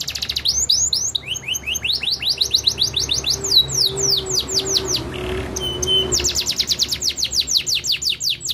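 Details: Canary song meant to prompt other birds to sing: long rapid series of descending whistled notes, brief metallic trills and a short buzzy pause midway, then renewed fast repeated sweeps; faint low hum underneath.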